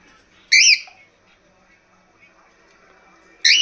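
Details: A pet bird that has been calling a lot today, said by its owner to be in a good mood, gives two loud, harsh, high squawks. Each rises then falls, about three seconds apart, against a quiet background.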